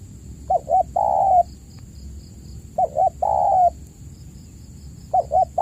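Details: Lure recording of a spotted dove, meant to coax silent caged doves into calling. Three phrases, each of two quick notes and a drawn-out level coo, repeated about every two seconds. A faint high electronic whine is also present.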